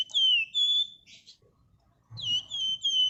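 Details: Flamboyan bird singing actively in the ngebren rapat and nyerecet style, used as a lure: clear, high whistled phrases that drop and then hold steady, given in two bursts of three notes separated by a short pause.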